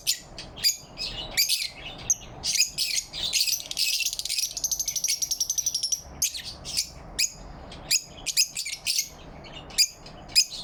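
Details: Lovebirds chirping happily in the morning light on 4 November 2023: dense, harsh, high-pitched chirps in rapid bursts, with a sustained buzzy chattering run mid-clip, several birds calling together.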